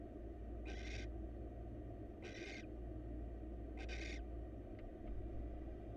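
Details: Male barn owl delivers a mouse to the female in a wild nest box; three separate harsh, hissing screeches, each under half a second, sound about every one and a half seconds above a low hum.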